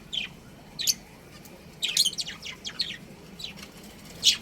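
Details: Budgerigar breeding pair kept as pets, chirping: scattered high, scratchy chirps and short twittering notes in quick clusters, with a louder chirp at the end and faint background hum.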